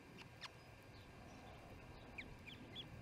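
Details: Evening feeding at the Charlo osprey nest, 7pm MDT on June 18, 2018: a few short, high, slurred chirps in the second half, spaced under a second apart, with soft clicks earlier and constant low hum.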